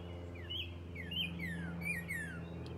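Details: A friendly, hand-raised Blue Jay near a person in a windy backyard wildflower patch gives a run of soft, high chirps, short downslurred notes in quick clusters, over a low steady hum.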